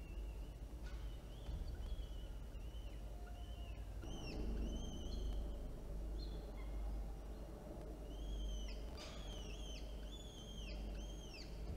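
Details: Older and younger peregrine falcon chicks beg while their mother feeds them at a nest in Orange, New South Wales, on 9 October 2022. Thin, high, arched squeals come in scattered bursts, several overlapping near the end, over a steady low rumble.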